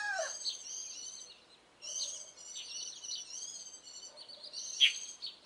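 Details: Early-morning song of warbling white-eyes, mid-April 2012: high, jingling twitters delivered in dense phrases of about one to two seconds, separated by brief pauses, with one sharp louder chip near the end.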